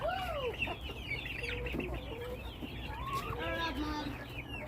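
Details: Chickens in a flock call together: a clear rising-then-falling whine opens, followed by busy overlapping chirps, clucks and soft murmurs over a low background hum.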